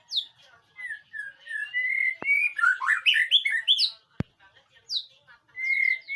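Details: White-rumped shama singing in a training recording meant to prompt a reply: varied clear whistles, slurred notes and rich warbled phrases, with two sharp clicks and short pauses between bursts.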